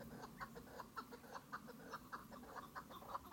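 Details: Chukar partridges give a steady series of short, clucking chuk notes, about two per second, in a mid-pitched, slightly uneven rhythm with faint background hiss.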